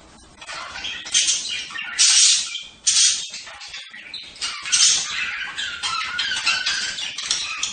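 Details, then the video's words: Budgerigar birds giving rasping, noisy squawks that swell and fade, with a loud harsh burst near the middle and continuous scratchy chatter between. "صوت طيور هند(البادجي)"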